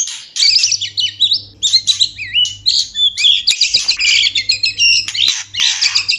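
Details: White-rumped shama (murai batu) breeding song: a fast, dense string of high chirps, twisting whistles and buzzy notes delivered almost without pause; faint low hum.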